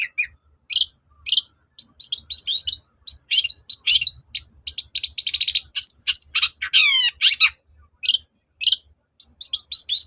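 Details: Cendet, the long-tailed shrike, singing persistently to provoke a reply: busy varied chatter of clipped whistles and harsh notes, with a fast descending trill near the seventh second.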